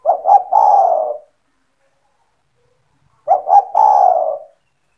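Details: Spotted dove, or tekukur, a kept bird cooing to lure others: two phrases, each two short notes and a long low coo, three seconds apart in quiet surroundings.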